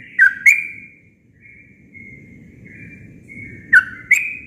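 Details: Sooty-headed bulbul in natural song: two sharp chirps open, soft sustained whistled notes follow, then two more loud rising chirps at the end.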